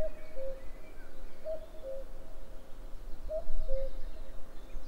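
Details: Common cuckoo, 11 May 2022, repeating its descending cu-ckoo call three times at steady intervals of about 1.8 seconds, each a brief high note then a lower held note, against quiet rural background noise.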